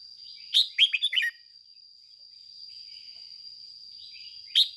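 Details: A red-whiskered bulbul lure bird sings in the aggressive 'ché' style used to spur other bulbuls: one rapid phrase of five bright chirping notes, then a quiet gap before another phrase begins. A thin high whine persists throughout.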